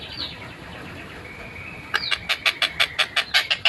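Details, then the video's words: Long-tailed shrike (tengkek buto) singing, recorded 14 December 2025: a soft whistle and long thin held tone, then a sudden series of loud harsh notes repeated roughly three times a second. "MASTERAN TENGKEK BUTO GACOR SUARA JERNIH SPEED RAPAT"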